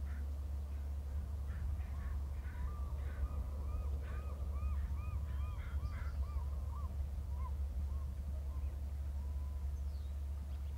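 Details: A male eagle trills in a fast series of short, arching, squeaky notes, repeated roughly twice a second for several seconds, over a steady low electrical hum. Something hops from a trunk branch to another branch.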